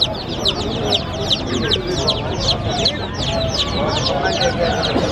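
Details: A crowd of little baby chicks peeping busily at play, short descending chirps packed close together, some sharper and higher than others, over a constant low background hum.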